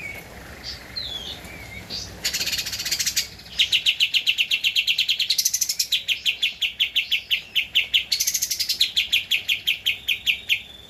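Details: Javan white-eye song meant as a master recording for training caged birds: a few soft whistles, then a long, loud chattering trill of rapid high notes with short squeaky flourishes.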